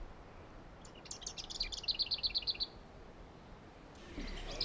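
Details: Lesser Whitethroat song, a scrubland and hedgerow warbler heard in May: a soft, scratchy warble leading into a dry, far-carrying rattling trill of about eight quick identical notes on one pitch, over faint hiss.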